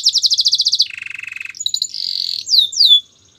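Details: Belgian canary song for training canaries, moving through rapid pulsed trills at several pitches, a lower rolling trill, then a steady buzzy tour, ending with two sweeping downward whistles.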